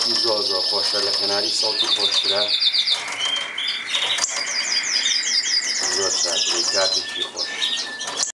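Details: Melanin canary song shifting through varied phrases: a steady high trill, then choppy pulsed tours over a lower sustained whistle, then quick repeated notes. Low harmonic voice-like sounds occur at the start and near the end.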